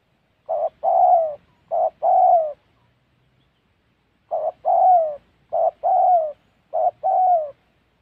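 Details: Close spotted dove in Gia Lai, Central Highlands of Vietnam, used for trapping: two short-long coo pairs, a pause of nearly two seconds, then three more pairs of soft, falling, hooting notes.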